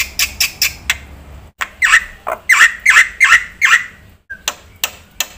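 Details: Black-winged myna, an active singer with fill-in phrases. It gives irregular harsh, rasping squawks, some with a twanging upward inflection, spaced roughly every third of a second, with brief pauses.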